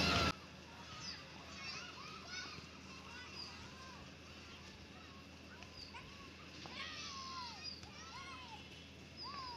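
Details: Wild parrots chirping naturally; scattered squeaky, arched chirps and sharp rising whistles from several birds over steady low background rumble, with an abrupt loud burst at the very start.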